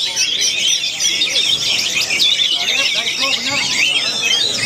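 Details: Orange-headed thrush singing in a contest at a bird-keepers' anniversary event in Yogyakarta, Indonesia; dense, unbroken high-pitched song of rapid varied whistles, trills and chattering phrases, with several voices overlapping throughout.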